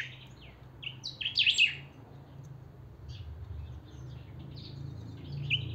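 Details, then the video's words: Pica-style song of a saffron finch (chiviro) in full voice: one quick phrase of high, sharp, chattering notes, then softer scattered chips over a low steady hum. "Pica cantando a full"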